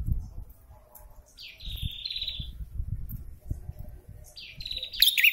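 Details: Prinia (prenjak kepala merah) in breeding condition: a long, steady buzzy trill, a pause, then a second buzzy trill ending in sharp chirps, over low rumbling background noise.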